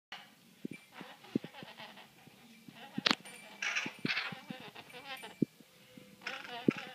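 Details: Female pet great-billed parrot talking indoors: garbled speech-like harmonic babble at mid pitch, broken by sharp loud squawks near three seconds and bursts of raspy, hissy noise, with a Goffin's cockatoo also present.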